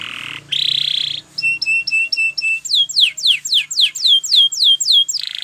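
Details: Champion Spanish Timbrado canary in training song: a buzzy rolled trill, a short series of ringing piping notes, then evenly spaced falling whistled notes about four per second.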